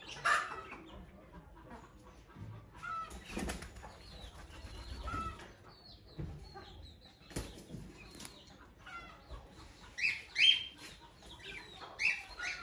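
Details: A baby cockatiel playing out of its cage gives short, scratchy chirps amid fluttering wing beats and rustling.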